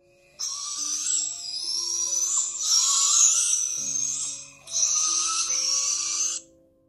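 Young barred owls give three long, harsh, rasping hisses, each lasting one to two seconds. Soft sustained music plays underneath.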